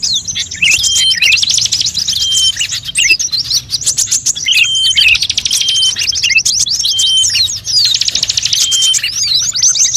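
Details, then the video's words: High, dense birdsong used to draw birds in, said to mix many bird types; waves of rapid trilling and chirps with short quieter dips around three and five seconds and a few sustained pure whistles. "suara pikat semua burung"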